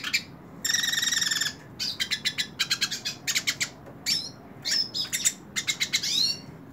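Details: Hooded siskin singing while held in the hand: a long buzzy harmonic note, then quick bursts of high, dry repeated notes and short rising whistles, sharp and metallic over a quiet background.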